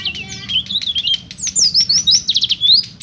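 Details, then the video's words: Oriental white-eye singing in vigorous ngeplong style, a rapid run of high, thin, sweetly twittering whistles with quick up-and-down slurs, nearly continuous over three seconds, over a faint low background hum. "suara burung pleci gacor"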